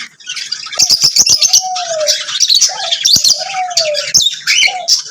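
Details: Lovebirds chirping in a busy chorus of high, scratchy tweets, while a lower, smooth dove-like coo slides in twice as a background voice.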